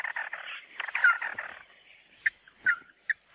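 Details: Mắt Đỏ bird on a lure track: a burst of fast scratchy chatter with a downslurred whistle, then four isolated short notes with slurred endings, spaced about half a second apart.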